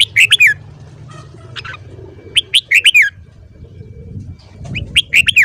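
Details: Morning song of a red-whiskered bulbul, recorded for voice training. Lively bursts of three to five slurred whistled notes come in clusters, sometimes a softer single note in between. Faint low background rumble.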